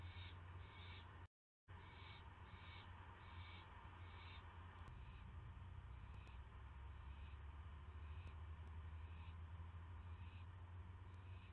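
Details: Owl getting a mouse at night, 9:38 PM on May 9, 2016. Rasping hiss-like bursts come in a quick series, then fade and grow more spaced, all above a constant deep electrical hum.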